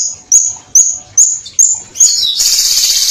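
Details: Violet cuckoo giving five crisp, high upslurred whistled notes, evenly spaced about half a second apart. Straight after them comes a rapid, dense buzzy trill, the clear 'tembakan' shot style.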